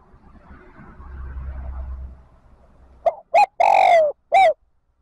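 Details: Low rumbling background noise for three seconds, then a decoy spotted dove gives one cooing phrase to lure wild doves into the flock: clipped notes, a long falling coo and a brief last note.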